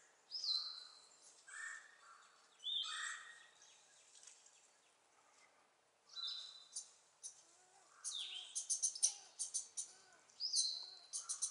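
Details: A possible sapsucker, which the recordist is unsure of, at home on 26 April 2014 gives harsh, slurred, falling squeals every few seconds, mixed with bursts of rapid tapping and other high bird chatter.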